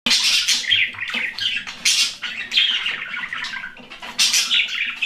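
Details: Budgerigar colony chattering continuously, a busy mix of scratchy warbles and sharp chirps from many birds.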